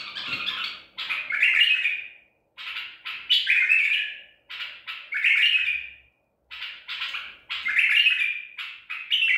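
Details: Song of a Baghdadi-style white-eared bulbul caught at Medical City, 14 April 2021: bright warbled phrases of several notes, each ending in a descending slur, delivered in clusters with brief silences between.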